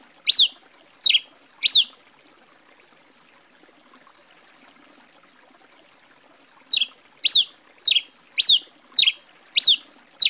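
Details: Steep up-and-down chirps of a grey pileated finch, called tico-tico-rei-cinza in Brazil: three notes, a silent gap of about five seconds, then a faster burst of seven, over quiet trickling water.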